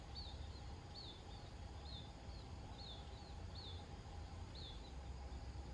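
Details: Grown munia young being fed by a parent give thin, high, slurred chirps, about one a second, over a steady low rumble of wind or distant traffic.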